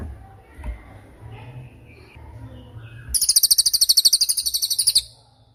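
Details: Training song of cililin for caged songbirds and moulting birds: after a few seconds of quiet background hum, a rapid, piercing high trill of about twenty evenly spaced notes runs for nearly two seconds.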